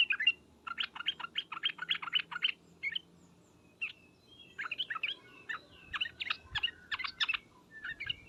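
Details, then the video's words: Sooty-headed bulbul calling together with ngriwek uplik-uplik sounds: quick chirpy notes repeated in a fast run, a brief pause, then renewed clusters of sharp, varied chirps. "suara panggilan trucukan dan ngriwek uplik uplik ini menjadikan burung trucuk gacor nyaut seketika"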